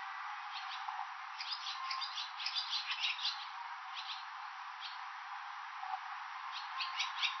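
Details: Swallows at a roadside station in Nihonmatsu, Fukushima, Japan, where they come in May–June to raise young, give bursts of quick, high twittering chirps over a steady background hiss.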